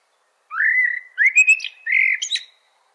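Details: Blackbird song in clear, close recording: a drawn-out whistled note rising to a level tone, then a quick series of short warbled notes and another long whistled phrase ending in higher chips, no background sound.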